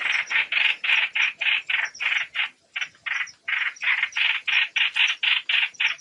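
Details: Trao trảo bird calling to gather its flock, used as a trapping lure: rough, rattling chatter of rapid repeated notes, about three and a half per second, with one brief pause.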